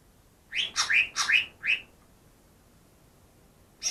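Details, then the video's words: Greater green leafbird caught two days earlier, reportedly copying ten bird species: four loud sharp whistles sliding down in pitch, silence, then the start of a high buzzy chatter at the end. "burung cucak ijo yang bisa meniru 10 suara burung lain"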